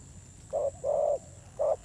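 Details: Recently wild-caught spotted dove with a fierce voice, uttering a short hoot and then a long, rounded coo, with the next hoot starting at the end. There is faint background hiss.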